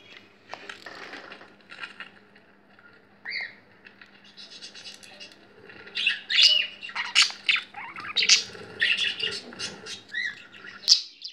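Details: Female pet budgie, thrilled by other budgies on a laptop: soft, sparse scratchy chatter at first, then louder, denser squeaks and chirps in the second half, with a faint steady hum beneath.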